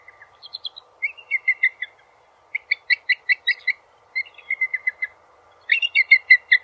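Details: Bald eagle chatter made of high, staccato piping notes in repeated bursts. Some notes are doubled or overlap, like two calls at once. The bursts come every couple of seconds over a faint low hum.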